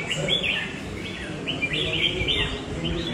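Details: Red-whiskered bulbul song: it sings loud and long and competes well. Short whistled phrases rise and fall, several in three seconds, over steady low background hum.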